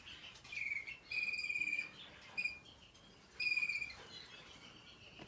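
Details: American Singer canary in training, 2021: short and longer rapid, even trills on a high steady pitch, with brief pauses between rolls and a faint soft background hiss.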